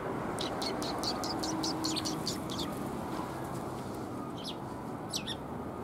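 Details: Sparrows coming to be fed at a Tenmangu shrine on 27 February 2021; a rapid run of short, sharp high chirps for about three seconds, then a few scattered chirps, over a steady low rumble of background noise.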